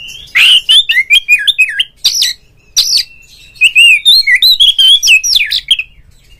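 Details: Oriental magpie-robin singing in the 'ngeplong' calling style to trigger other magpie-robins: dense, continuous run of loud whistled and chirped notes, swooping up and down, with scarcely a pause.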